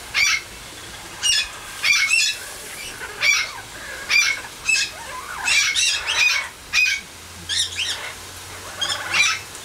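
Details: Greater Sulphur-crested Cockatoo, a 34-year-old captive male raised in Australia and now at a sanctuary, enjoying an aviary shower: harsh, screechy bursts come in short clusters every second or so, with splashing water in the background.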